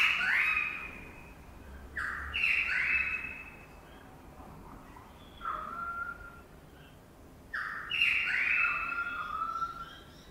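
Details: Currawong at its nest early in the morning above a Sydney birdbath, giving loud, ringing whistled calls that slide downward, in three bouts about three seconds apart, with quieter notes between.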